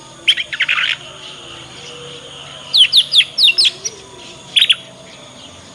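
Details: Juvenile Yorkshire canary learning ngriwik notes, used as a master lure to make other canaries answer. Short bursts of high chirps are split by pauses: a buzzy cluster, then a fast string of descending ticks, then a brief pair.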